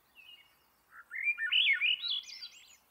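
Swainson's thrush song: a soft low opening note, then a quick, fluty phrase spiraling upward and fading out at the top. Background is quiet.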